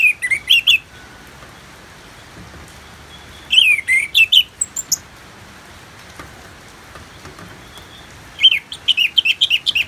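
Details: Orange-headed thrush in ngeplong song for therapy with natural rain: short clusters of sharp, warbling whistled notes come every few seconds, the last run longer and more rapid, with faint hiss between.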